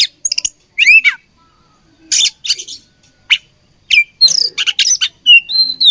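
Oriental magpie-robin giving loud, varied bursts of sweet whistles, sliding notes and harsh chattering phrases, broken by short pauses; no other sounds stand out.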